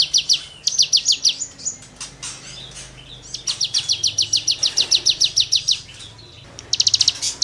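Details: Cigun singing as tutoring material for songbirds: bursts of high, rapid, sharp ticking notes in quick series, separated by short gaps and softer scraping sounds.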